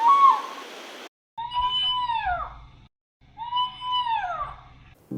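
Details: Two long, human-like wails from the Devil Bird (Ulama) of Sri Lanka, a bloodcurdling cry folklore holds a death omen, each holding steady then sliding down at the end, about two seconds apart; a burst of rough noise comes first.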